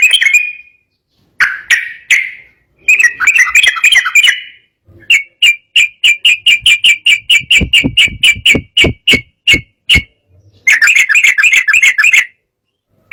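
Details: Agitated sooty-headed bulbul singing to set rival birds off: bubbly chattering phrases open, followed by about twenty evenly spaced sharp notes and a closing burst of rapid chatter.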